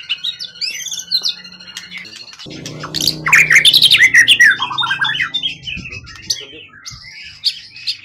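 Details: Calm competition bird caught in the wild and kept for years, tail over 20 cm: high chattering phrases, then a loud burst of rapid sharp notes and twitters, with a low rumbling noise in the middle.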